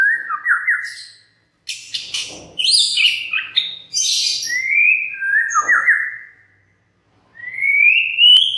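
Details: White-rumped shama song used to coax other birds to sing: clear whistled phrases alternating with dense chattering bursts, falling whistles, and a final long rising whistle after a pause.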